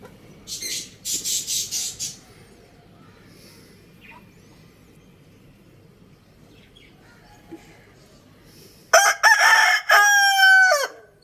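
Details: Rooster crowing: after a few seconds of scattered rustling and faint chirps, a loud, harmonic-rich crow of about two seconds, pulsing slightly before trailing off.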